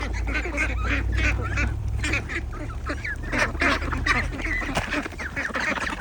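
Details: Ducks with ducklings near Agidel, in a farming setting: a dense chorus of overlapping nasal quacks and honking calls, many birds calling at once without pause, over a steady low rumble.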